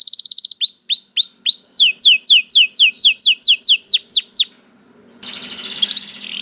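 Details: Canary song built from a steady run of about fifteen rising whistled notes repeated roughly four times a second, ending after a pause in a brief harsh buzzy phrase.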